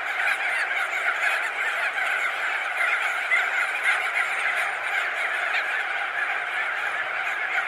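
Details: Thousands of crested auklets perched and wheeling overhead make a continuous wall of nasal honking calls, with slightly sharper individual notes flickering through the massed colony noise.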